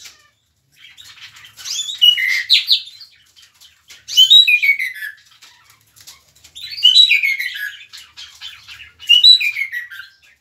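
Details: A mockingbird in Soacha gives four rich phrases about two and a half seconds apart, each a sweeping whistled descent ending in twittering notes, with soft calls in the gaps.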